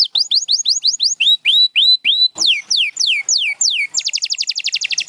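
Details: Canary song with repeated falling whistles, a series of upswept notes, slower loud descending slurs, and a closing very fast, rattling trill.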